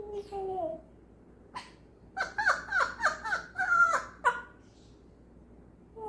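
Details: Indoor African grey parrot mimicking human laughter: a few nasal falling notes, a gap, then about eight quick, evenly stuttered harmonic 'ha' pulses in a tight laughing burst before a final note.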